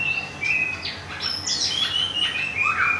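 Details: White-rumped shama from Thung Song, Thailand, a kept bird newly moved and molting, its plumage almost regrown: clear whistled phrases slurring up and down, some short buzzy notes, over a steady low background hiss.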